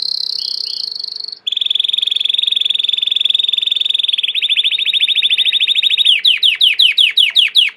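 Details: Belgian canary in domestic song: a long high whistle, then a loud rapid buzzing roll held for seconds, shifting into a slower pulsed trill and ending in a series of sharp descending sweeps.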